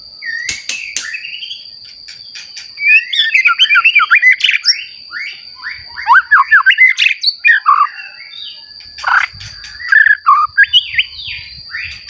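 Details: White-rumped shama, a newly mature bird kept for prompting other shamas to sing, delivering a fast varied song of rich whistled and slurred notes, rapid chattering bursts and sweeping phrases, with a steady high electronic whine throughout.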